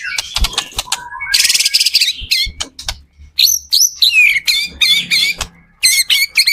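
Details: Vigorously singing white-rumped shama, a lure recording meant to get other shamas singing in reply; mixed clicks, a long buzzy trill, then bright chirped and whistled notes in quick succession.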